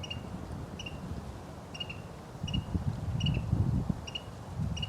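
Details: A Carolina wren recorded January 25 at the Ohio State University wetlands gives bright, clipped double notes about once a second, over a steady low rumble of wind and distant traffic.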